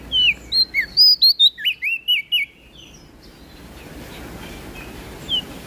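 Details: Sweet prinia song from NTB: a rapid burst of about ten bright, slurred whistles in the first two and a half seconds, then quiet with one last note.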